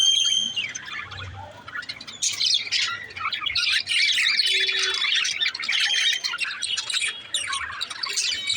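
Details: Budgie chatter: a few thin whistled notes at first, then a busy, continuous stream of scratchy high chirps and squawks from about two seconds on.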